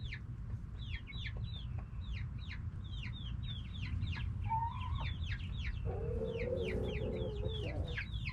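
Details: Backyard chickens, hens and roosters, noisily calling: many high, downward-sweeping chirps in fast succession, then a short mid-pitched note and a longer lower harmonic call toward the end, over a steady low rumble.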